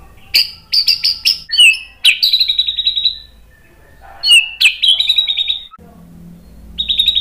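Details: White-rumped shama song played as a lure to provoke other shamas into answering: loud bursts of sharp high notes, buzzy whistled phrases and ringing trills separated by short pauses.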